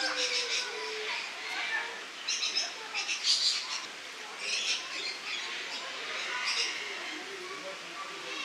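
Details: Lorikeets filmed in August 2015, giving harsh, screechy squawks in irregular bursts that overlap and run almost continuously, with louder peaks around the middle of the clip and no other clear sounds.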